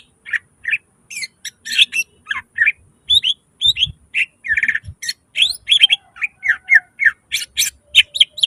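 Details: Greater green leafbird singing nonstop in 'gacor full nembak isian' style, packed with mimicked fillers: rapid, varied whistled chirps and slurred notes, some harsh, with faint low knocks.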